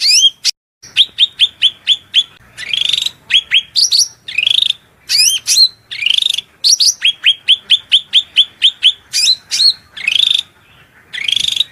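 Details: Long shrill cucak rante masteran sequence, full of murai, cucak ijo, kacer and cendet fill-ins, set against flowing water: rapid runs of sharp upward-flicked whistles, several per second, interspersed with looping notes and short buzzy bursts.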